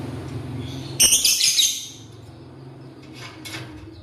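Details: Lovebird eating corn in the morning: one loud grating chirp burst, followed by two fainter short rasps, with a low background hum throughout.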